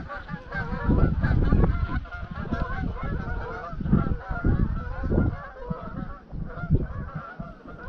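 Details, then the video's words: Flock of 200-300 greylag geese at dusk, on their evening flight from a grazing field to the roost lake Llyn Maelog near Llanfaelog, Anglesey; overlapping nasal honks throughout, over heavy wind rumble in the microphone. "Flight of the Greylag Geese"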